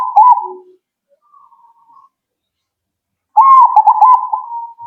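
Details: Zebra dove responding immediately. A rolling coo ends, a faint soft trill follows, then a loud new phrase of rapid fluttering notes tapers into a drawn-out steady tone.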